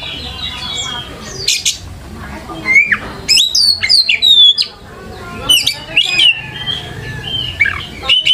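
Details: Lure song of an Oriental magpie-robin, used to teach young birds to sing: a continuous, varied run of clear whistles, steep rising and falling slurs, and harsh chattering notes.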